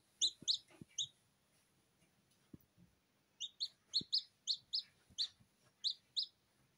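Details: Freshly hatched Silkie Serama chicks, still not fully dry, peeping while being calmed by hand: quieter high, descending chirps in scattered bursts, with soft handling rustles and faint background hum.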